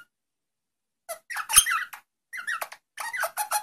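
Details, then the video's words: A rosella sings, giving quick bursts of squeaky, chattering notes with short gaps between phrases and no other sounds. "SONG ROSELLA تغريد طائر الروزيلا الجميل"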